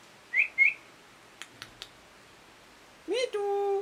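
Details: Parrot calling: two quick whistled upslurs, a few sharp clicks, then a lower, steady whistled note with a rising start, held for about half a second.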